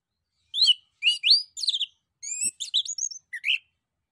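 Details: Singing male orange-headed thrush meant to coax replies from other birds: a rapid run of varied whistles, downslurs and chattering notes over about three seconds, with scarcely any pause between phrases.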